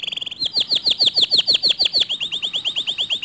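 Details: Canary singing in a way said to stir other canaries to join in: a quick buzzy burst, then a steady series of clear downswept whistled notes repeated several times a second, ending in a softer trill.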